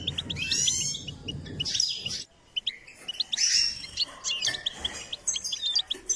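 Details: Singing goldfinch being stimulated to sing: bright, rapid twittering runs and short buzzy trills, with brief gaps and some low background rumble at the start.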